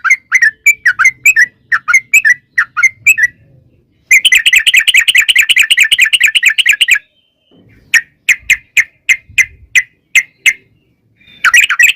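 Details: Trucukan, or yellow-vented bulbul, in a long rolling 'ropel' song meant to make other birds answer. Paired bubbly notes lead into a continuous rapid chatter about three seconds long, then a series of spaced sharp notes.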